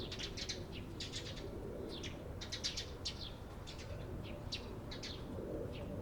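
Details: Eurasian tree sparrows recorded on 28 April 2022, giving short, sharp chirps in quick irregular bursts, several birds overlapping, over a steady low rumble of background noise.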